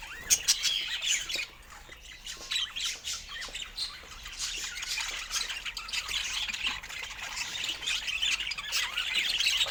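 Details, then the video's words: During fruit time, pet budgies keep up a steady, scratchy warbling chatter with scattered sharp squeaks, growing louder toward the end. "Cute Budgie Love and Funny Sweet Sounds During Fruit Time"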